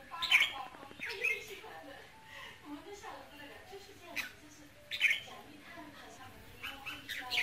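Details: Red-whiskered bulbul song meant to excite a male bird, with ché, kình and rít notes: bright, sharp chirped phrases in short bursts roughly a second apart, over faint low murmuring in the background.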